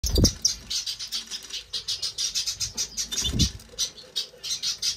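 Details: Major goldfinch, a European goldfinch, delivering a fast run of high, tinkling twittered notes in steady pulses throughout, with a few low thumps of wing flutter or movement near the start and middle.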